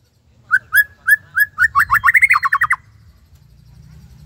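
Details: Murai batu, the white-rumped shama, in a tembakan Cililin phrase: four spaced rising whistles speeding into a fast stuttering run of ringing notes that stops abruptly, over a soft low rumble.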